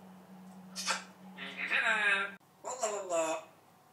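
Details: Indoor talking parrot, about 80 learned words after two years: several harmonic, speech-like syllables in two bursts with a steady low hum in the background.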